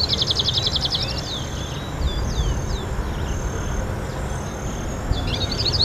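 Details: Hooded siskin recorded on 6 January 2013, opening with a fast, buzzy high trill, then scattered thin descending chirps and a second twittering burst near the end, over steady low rumbling background noise.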